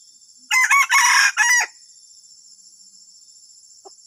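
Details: Junglefowl giving a loud, hoarse crow of four quick harsh syllables over about a second, the third drawn out longest, then a few faint clicks, with a steady high insect drone throughout.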